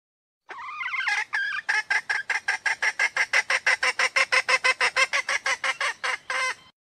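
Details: Hen red junglefowl, Sumatra, giving the call used to draw males near or provoke their crowing: a few drawn-out nasal notes open, then a rapid, even train of short harsh clucks, about three each second.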